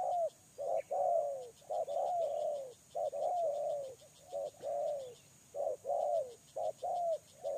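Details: Repeated cooing of a lure spotted dove, each phrase a clipped note then a longer descending coo, about sixty per minute, some phrases crowding together, faint ticking behind.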